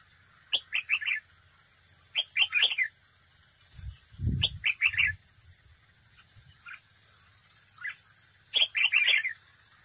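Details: Competitive singing from a close-up decoy red-whiskered bulbul at a trap: repeated chirpy whistled phrases of several notes, one dull knocking thud in the middle, and an unbroken high-pitched hum.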